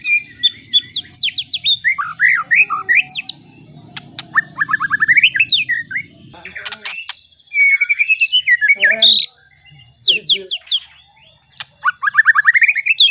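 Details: Lure song of a white-rumped shama, meant to anger rival shamas: varied bursts of sweeping whistles, quick chattering runs and upslurred notes separated by short pauses, with a low murmur and a few sharp clicks in the background.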